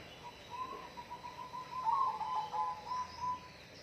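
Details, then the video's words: A sustained mid-pitched whistled trill from a bird, wavering slightly in loudness and pitch and peaking in the middle, over low background hiss. "bunyi burung"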